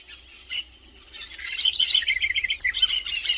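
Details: House wren: a couple of brief high notes, then a hurried, energetic warble of chattering, tumbling notes that runs on without pause to the end.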